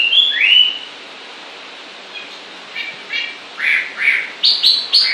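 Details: Singing bird gives two bright slurred whistles, pauses, then a spaced run of short chirping notes that grow louder, ending in quick high repeated notes.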